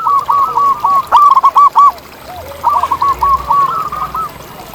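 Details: Local zebra doves outdoors, several at once. Dense, rapid runs of warbling coos overlap one another, with one louder burst of short rolling notes in the middle.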